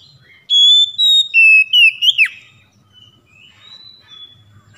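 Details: Oriental magpie-robin song played to lure mute or lazy captive birds into singing: one loud phrase of clear sustained whistles, stepping down then swooping sharply downward, followed by faint softer whistles and low background hum.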